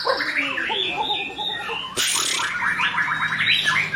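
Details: Captive-training shama song with a rich repertoire of fill-ins. Rapid warbled phrases run continuously, with bouncing notes and a sudden harsh burst near the middle, followed by fast rippling trills.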